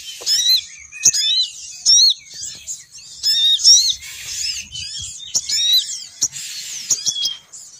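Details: Female sogon bird calling to lure males down: quick, bright, high-pitched warbling chirps with many rising and falling squeaky notes, delivered in a steady rapid stream.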